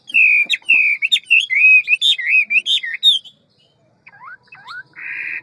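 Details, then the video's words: Ngũ trường hwamei, described as big and handsome, delivering a forest-style song rich in varied voices: a loud rolling run of warbled, looping whistles for about three seconds, a pause, then a few softer rising whistles and a short buzzy note. "Họa mi ngũ trường giọng rừng mau mỏ nhiều giọng"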